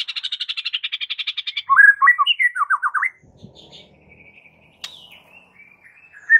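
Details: White-rumped shama singing aggressively as a master for fight training: a rapid, even rattle of about twenty harsh notes, then a series of loud descending slurred whistles, followed by soft scattered notes and a closing whistle.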